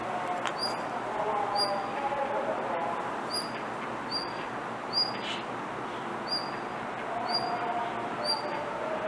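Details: Blue rock thrush, not in full song, repeating short high whistled call notes roughly every second with a fine upper overtone, against a constant low rushing background noise.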